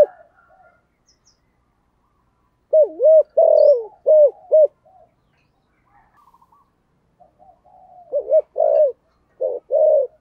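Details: Spotted dove calling loudly in the deep 'thổ sấm' voice style, a 'gáy gọi' calling coo: after a quiet start, bursts of low, hollow, rounded coo notes arrive in two clusters, with faint softer notes between them.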